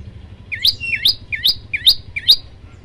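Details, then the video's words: Five crisp, evenly spaced chirps from a bar-winged prinia, each a short low hook sweeping up to a bright peak, from a 'tembakan' tutor recording used to train birds. "tembakan 40 detik sekali napas masteran prenjak lumut"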